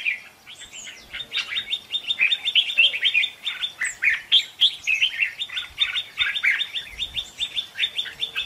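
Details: Red-whiskered bulbul contest singing used as decoy song for trapping wild birds; a continuous run of quick, chirpy warbled notes, about four per second, with a few sharper high whistles mixed in.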